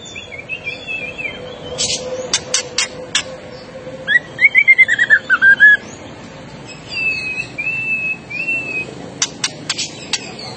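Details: Agitated white-rumped shama bursts into song: sharp clicking ticks, then a rapid series of bright rising and falling whistled notes near the middle, followed by softer warbled phrases and more dry ticks, with steady low hum behind.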